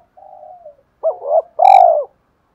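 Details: Spotted dove in a fight-provoking calling style ending in two closing notes. A soft level coo opens, a two-part hooked coo follows, then one long loud rolling coo with a sharp click at its start.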